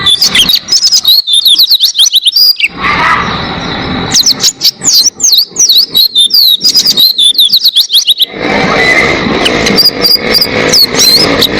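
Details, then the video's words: Long, clear Oriental white-eye song for training other caged birds: energetic bursts of high chirps and rising and falling whistles, broken by stretches of rushing noise. "Masteran Pleci Gacor Buka Paruh Durasi Panjang Suara Jernih Cocok Buat Masteran Burung Jawara"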